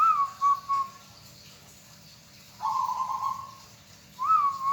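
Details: Local zebra dove, kept by hobbyists, cooing: two short soft notes, a long pause, then a purring trilled coo lasting over a second and the start of a rising note, with steady faint background hiss.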